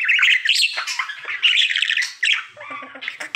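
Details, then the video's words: Pet budgie, a male, during daily singing: harsh squawky chatter and bubbling chirps in quick succession, followed by a short series of rattling clicks. "Budgie singing for 1 Hour Happy song!"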